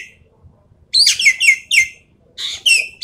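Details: Javan pied starling in full rapid-fire song for testing contest birds' nerve: quick series of loud, descending whistled notes with harsh overtones, then a buzzier, flatter phrase after a short pause.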